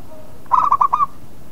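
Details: Single short phrase of local zebra dove song meant to draw an answer from other birds: four quick, rolling coo notes, the last slightly drawn out, in a quiet background.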